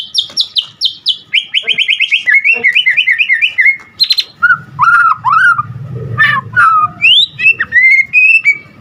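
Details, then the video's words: Energetic white-rumped shama song, called gacor, from a Medan-type bird full of mimicked phrases: rapid repeated high chirps, then rolling trills and varied whistled notes, with a low hum beneath. "Murai Batu GACOR Full Isian Ampuh Buat Pancingan Murai Batu Agar Cepat Bunyi"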